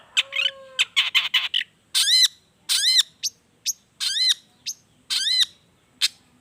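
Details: Long-tailed shrike singing energetically with phrases copied from wild birds, a lure to set lazy shrikes singing; a low drawn whistle, then rasping chattering notes and repeated arched harsh calls, with quick high whistles between.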